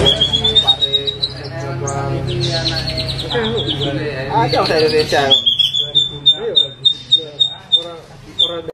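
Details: White-rumped shama in showy rough-variation song, opening with a long thin high whistle over rattling phrases, then another sustained high note broken by quick clipped chips.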